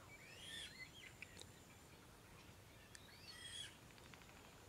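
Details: Eurasian coot (Fulica atra) in the Tablas de Daimiel wetlands, La Mancha, gives two short, harsh, squeaky calls about three seconds apart, fairly faint over a steady low background hiss.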